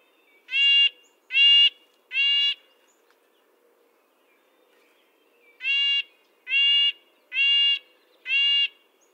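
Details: Red-breasted nuthatch giving short, nasal, tinny notes: three evenly spaced notes, a pause of about three seconds, then four more at the same steady pace, against a quiet background.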